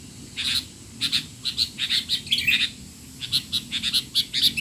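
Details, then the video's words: Sooty-headed bulbul, noisy calls for training young bulbuls: steady series of short, bright chip notes in quick pairs and groups, with one brief pause mid-way; low hum underneath. "burung kutilang teler!! suara ribut paling cocok untuk kutilang bahan"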